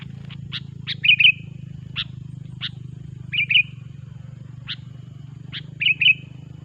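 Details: Sooty-headed bulbul song used to attract bulbuls for trapping: scattered sharp chips and three short bubbly, rolling phrases over a steady low hum.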